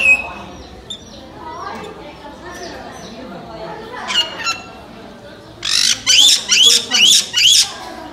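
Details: Captive black-headed caique in Yokohama, Japan, giving five loud, harsh, screeching squawks in quick succession, roughly two per second, after several seconds of indoor crowd murmur and distant voices.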